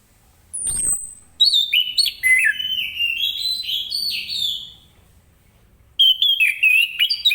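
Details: Orange-headed thrush, morning 'gacor ngeplong' song meant to prompt other birds to join in. A brief falling sweep comes first, then a long run of varied whistled phrases. After a pause there is a fresh burst of quick notes.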